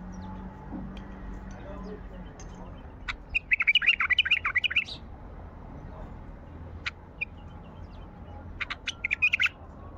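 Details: A wild Baghdadi bulbul sings two bursts of quick, bubbly chattering notes, each about a second long, with a few sharp single clicks between them over a low background hum.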